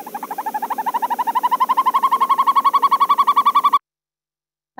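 A Northern Hawk Owl gives a long, rapid, bubbling trill of about nine notes a second, rising slightly in pitch. It ends abruptly, followed by a brief voice.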